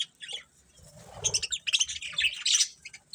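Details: Budgies chirping in quick rough bursts that build into a busy scratchy chatter, with a low rumbling thud near the start.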